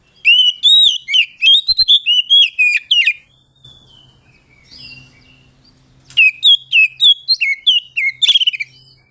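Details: Oriental magpie-robin singing ngeplong, a rival-calling song used to provoke other birds: quick strings of bright whistled and chattering notes for about three seconds, a quieter gap with a low hum, then another energetic burst.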